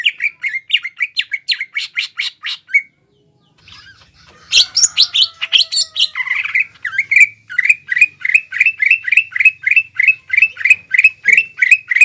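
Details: Cucak ijo (greater green leafbird) kept caged, singing gacor to provoke opponents: quick chirp series, a brief pause and rustle, then a rich mixed phrase settling into evenly repeated sharp notes about three per second.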